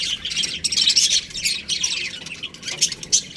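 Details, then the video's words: Young budgerigars kept in an aviary chirp together in a busy, scratchy chorus, with bursts of sharper squawks and brief quieter gaps. "Baby Budgies Chirping Sounds"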